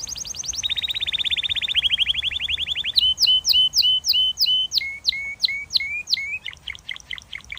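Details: A canary in song, moving through fast rolling trills at different pitches, then a slower series of sharp, clear repeated notes dropping in pitch, ending in quick chips; the background is quiet.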